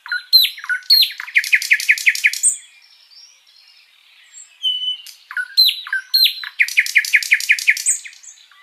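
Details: Long continuous master song of a sikatan londo flycatcher, meant for teaching caged birds. Two near-identical phrases: sharp downslurred chirps, then a fast series of about seven ringing notes that end in a brief whistle.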